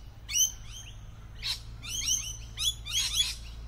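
Lorikeets give shrill, screechy chattering notes in quick overlapping bursts, two harsh squawks standing out, over a faint low hum.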